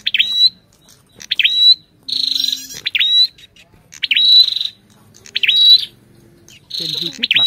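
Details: Ashy tailorbird and female: rapid alternation of swooping chips and harsh buzzy trills, about seven phrases in seven seconds.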